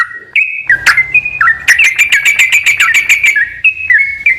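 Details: Sooty-headed bulbul song played to spur a bird that is reluctant to sing: clear whistled notes stepping up and down, then a fast burst of repeated sharp chirps, ending with more short level whistles.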